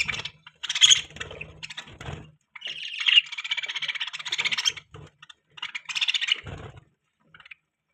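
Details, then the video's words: Pet budgie chattering: bursts of squeaky chirps and a sustained scratchy warble, with gaps between phrases and faint low clicks. "Budgie Chirping Sound | Budgies Beautiful Voice"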